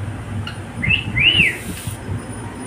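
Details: Pet cockatiel singing with another bird: a short upswept note, then one clear arched whistle that rises and falls, over a low background rumble.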